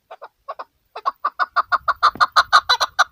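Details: Female chukar partridge starting with sparse doubled chuck notes that quicken into a rapid, steady series of loud clucks, with a soft low rumble in the background.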